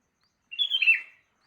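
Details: Sooty-headed bulbul in the morning giving a single brief, liquid phrase that slurs downward, clear against silence.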